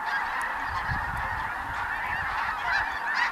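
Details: Massed snow geese, mixed with blue geese, Ross's geese and other waterfowl, feeding on Dakota prairie during their spring migration; a steady wall of countless overlapping high honks and barks with no pauses.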